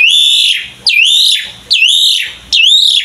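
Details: Asian pied starling singing actively, used to lure other starlings into song: loud, pure whistled notes, each dipping then rising and held, repeated about every 0.85 seconds, with faint low hum between.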